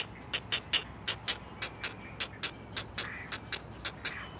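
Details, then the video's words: Four great blue heron chicks at their nest, on a Chesapeake live cam, call to their mother: a rapid, dry clacking series of harsh notes, about four or five a second, with several voices overlapping. "Four Singing Great Blue Heron Chicks!"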